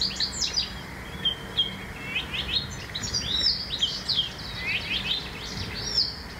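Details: Blyth's reed warbler song from a town site beside a railway line, digiscope recording: a rapid flow of varied chirps, slurs and squeaky notes, phrases tumbling over one another with brief gaps, faint low hum underneath.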